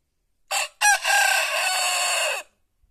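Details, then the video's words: White rooster crowing in the countryside: a short rough opening note, a brief gap, then one loud sustained harmonic crow of about a second and a half that holds steady and drops slightly at the end, with a quiet background. "gallo cantando"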